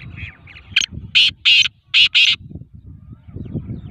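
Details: Sindhi black francolin, known as kala tetar, calling during training: five loud rasping notes in quick succession, the last two closely paired, over a steady low rumbling background.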